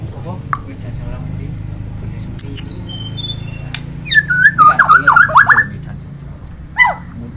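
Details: Murai bird producing a few thin high whistles, then a rapid rattling chain of zigzagging notes lasting about a second and a half, and one final short whistle.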